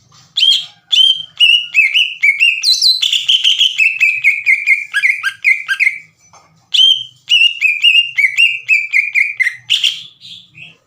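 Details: Excited green leafbird song meant to stir rival leafbirds into singing: long fast runs of bright whistled and chattering notes, a harsher high burst early on, a pause, then another rapid whistled sequence.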